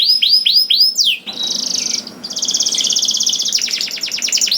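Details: Canary singing, meant to make listening canaries start singing: a few arched whistled slurs, then a long dense buzzy trill that breaks into fast repeated sweeping notes.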